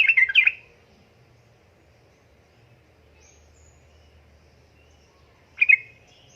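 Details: Female sooty-headed bulbul in breeding condition calling to a male: two short, dense chattering bursts of about half a second, one at the start and one near the end, with near silence between and a faint low hum.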